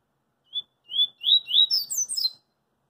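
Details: Double-collared seedeater, singing in the street, gives one 'coringa' song phrase: a short whistled note, two drawn-out slurred whistles, and a rapid tumbling finish of high, descending chips.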